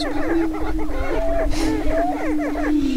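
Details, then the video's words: Lek of Greater prairie-chickens near Crookston, Minnesota, spring 2013 mating dance: a continuous low hooting drone with many rapid arched calls chattering over it from numerous birds at once. "Dancing With The Prairie Chickens"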